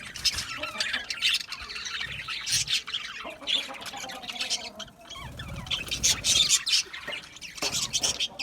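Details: Chirping budgerigars: bursts of high, raspy warbling and squeaky notes from several birds, pausing briefly around the fifth second before resuming louder.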